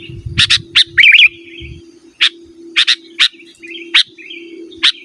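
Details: Song of a sooty-headed bulbul for luring wild birds and as a master recording for caged birds: sharp chirps and one quick twisting warble, over a faint steady hum.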